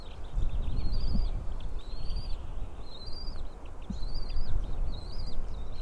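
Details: Three small chicks in a White-tailed eagle nest are being fed fish by the female, morning of 20 April 2016. High arched whistles repeat about once a second, accompanied by steady low rumbling and rustling.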